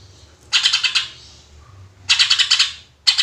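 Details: Lively greater green leafbird singing in tembakan bursts, used to lure other birds: two fast rattling volleys of about six sharp, buzzy pulses separated by a pause, then a third burst beginning, over a quiet low hum.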